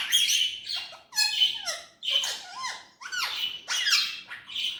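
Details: Pet Indian ringneck parrot talking in a small room: loud, raspy, word-like phrases about a second long, each with gliding tones and harsh overtones, repeated in five bursts separated by short gaps.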